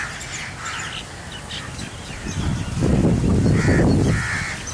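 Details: Migrating Rosy starlings murmurating above Hamirsar lake in Bhuj, Kachchh, on 18 March 2018, heard from under the flock; scattered rasping chirps and churrs, louder harsh bursts near the end, over heavy low rumble of wind.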